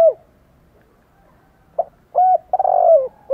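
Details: Spotted dove with fighting spirit, cooing to provoke rival doves: short hollow notes, then a rolling, vibrating coo and a sharp clipped note, over a faint low hum.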